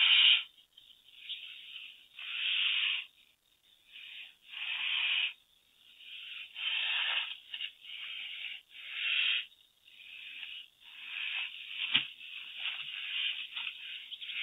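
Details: California condor at the Koford's Ridge nest, Sespe Condor Sanctuary, Los Padres National Forest, June 15, 2016, giving breathy, wheezing hisses in uneven one-to-two-second bursts roughly every two to three seconds, with faint rustle between.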